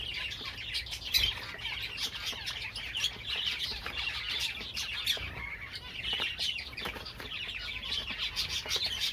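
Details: Java sparrow song: dense, high twittering chorus from many birds at once, with rapid overlapping chirps, clicks and a few sharper squeaks running through the whole stretch.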